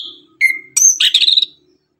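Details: In the morning, an orange-headed thrush gives tembakan song: a thin whistle, a falling clear note, then a squeaky high burst of rapid twittering over a faint low buzz.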